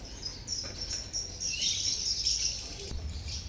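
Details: Colony of lovebirds chirping, recorded as a lure sound to prompt silent lovebirds to sing; high, thin twittering runs on almost without a break, with a steady low rumble underneath.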